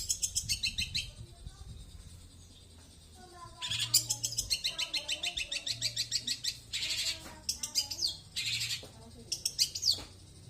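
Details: Long-tailed shrike singing a fast series of sharp, scratchy chattering notes, rapid repeated pulses in the middle, with a steady low hum in the background.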